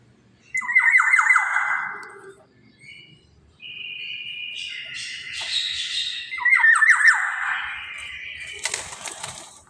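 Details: Black-naped oriole used as a lure for other birds: two harsh squawk bursts of rapid downslurred strokes, separated by a stretch of buzzy, scratchy chatter, ending with a short crackling noise.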